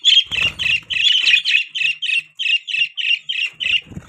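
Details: Budgerigar chirping: a fast series of short, harsh, squawky chirps around 14 in four seconds, roughly evenly spaced, high and scratchy, with faint low rustling or thumps near the start and end.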